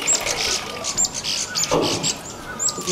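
Streaked laughingthrush giving thin, high chirps and brief sharp whistles, repeated roughly every second over soft background rustle.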